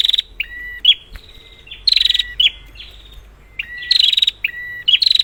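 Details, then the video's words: Prinia calling, used to stimulate silent birds: whistled two-part notes separated by bright buzzy trills, spaced with short pauses, over a low steady hum. "Prenjak, Pancingan ampuh untuk burung prenjak macet"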